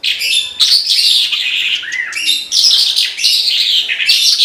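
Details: A Horsfield's bushlark (branjangan) sings gacor, almost without a break: busy, high-pitched warbling with fast buzzy trills and clear whistled slurs, including one rising and falling whistle near two seconds.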